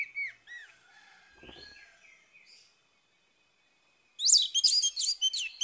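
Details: Orange-headed thrush song in the morning, played to restart a bird that has gone quiet: a few slurred whistles and softer warbles, then after a pause a loud rapid stream of high, sharp, chattering notes.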